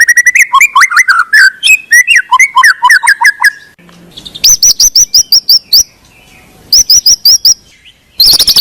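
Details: White-rumped shama singing, used to trigger reluctant singers: varied, fluty whistled phrases sliding up and down, followed by bursts of crisp high repeated notes separated by short pauses.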